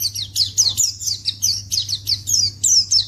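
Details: High, bright chirps of a white-eye (pleci), used as a lure so wild birds respond straight away, come in quick, evenly spaced bursts, each note slurring downward, with a low background hum.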